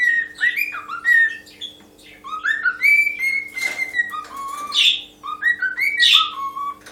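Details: A pet cockatiel singing various melodies in the morning: a run of clear whistled phrases, rising and falling, with a few harsher squawky notes.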